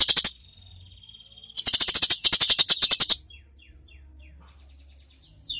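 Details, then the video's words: Cucak cungkok in full 'tembakan' song, used as a tutor recording: a thin steady whistle, then a long loud burst of fast dry ticks, ending in a series of short high chips. "masteran cucak cungkok gacor full tembakan"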